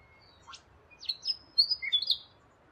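Rainbow lorikeet giving a quick burst of shrill, harsh screeching chirps, several sharp notes in under two seconds, over a faint background hiss.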